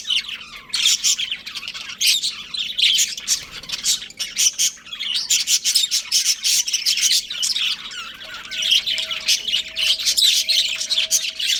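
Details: Breeding pair of pet budgerigars twittering steadily, a busy mix of fast chirps and scratchy warbled notes in repeated bursts, with a low hum in the background.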